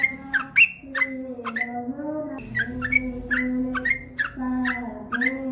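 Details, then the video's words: Yellow-vented bulbul (trucukan) gacor song with long ropel, offered as masteran for caged birds: bubbly whistled phrases of rising and falling slurred notes, repeated over a steady low hum with harmonics. "SUARA trucukan gacor ropel panjang"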